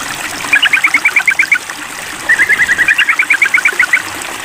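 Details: Two fast rattling chatters from a sooty-headed bulbul calling a rival in a mental test, each a rapid string of sharp, evenly spaced notes, with a steady flowing-water hiss behind.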